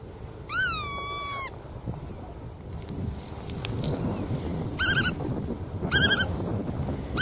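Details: Bar-tailed godwit calling: one drawn-out whistled note that rises and then levels off, followed later by two short bursts of rapid, sharp stacked notes, over a low rumbling background.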